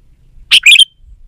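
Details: Sooty-headed bulbul in energetic song, used as a lure to coax reluctant garden bulbuls into singing and to call wild birds: one bright, chirpy phrase of two quick, rising-falling notes, then silence.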